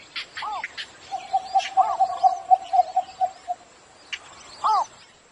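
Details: Morning calling of a cinnamon bittern: about ten evenly spaced, clipped mid-pitched notes at a brisk pace, framed by arched upslurred chirps and thin higher twitters, over a steady high background hiss.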